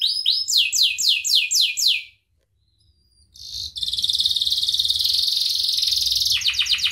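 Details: Canary song recorded for training other birds: a run of descending whistled sweeps, a pause, then a long high buzzy trill ending in quick pulsed notes.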